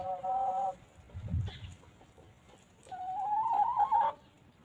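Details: Free-range hens on a countryside farm, pecking at grass; a drawn-out nasal tonal call, then a rustling thump, then a long rising moaning call of several seconds, quiet rural background.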